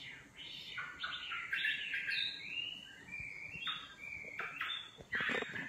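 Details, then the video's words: Nightingale singing a mix of quick varied phrases, bright whistled slides and abrupt harsh notes against a soft, hissing background. "Singing nightingale. amazing bird song"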